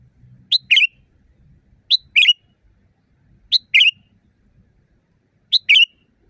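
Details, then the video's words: Loud sooty-headed bulbul song recorded in nature as training material for caged birds. Four quick two-part phrases come at fairly even intervals: a clipped high note, then a brief fluty warble. The background is almost silent. "Masteran burung kutilang di tempat raja kutilang. Suara keras fulll alam"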